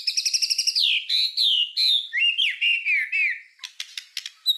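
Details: White-rumped shama master song for tutoring songbirds: a short rapid trill of repeated notes, then a series of rich, slurred downward whistles, ending in scattered sharp clicks and a high chip.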